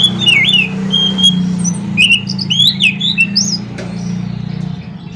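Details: Morning singing of an anis macan, the scaly thrush, in rolling ngerol style: varied looping whistles and upward slurs at high pitch, partly masked by a loud steady low hum.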